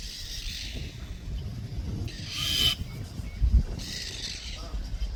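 A common myna gives three harsh, rasping alarm bursts about every two seconds over a steady low rumble of wind or distant traffic.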